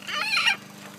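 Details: Blue-and-gold macaw talking and jabbering on a summer day: a half-second harsh, voice-like utterance with stacked bands, then quiet room hum; speech-like 'uh-oh uh-oh' follows.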